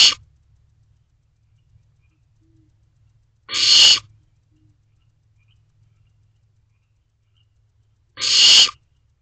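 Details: Barn owl in nest box C, which holds owlets, recorded 22 May 2023 at 1:20 am. Three harsh, broadband hissing screeches, each about half a second long and spaced four to five seconds apart, over a faint low hum.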